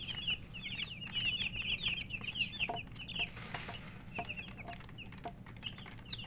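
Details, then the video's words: Chicks peeping while eating, with dense high chirps, short down-slurred and wavering notes tumbling rapidly over one another, several birds overlapping, plus faint pecking clicks and a low background hum. "Murgi chicks Chirping sounds and eating"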